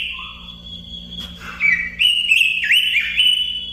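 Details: Robin singing: a softer opening, then loud whistled phrases with quick dips and rising slurs in the second half, over a faint steady hum.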